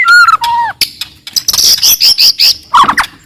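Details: White-rumped shama from the forest singing loudly and aggressively to provoke rivals: two clear falling whistles, then a fast series of high, harsh squeaky notes and a closing burst of chattering.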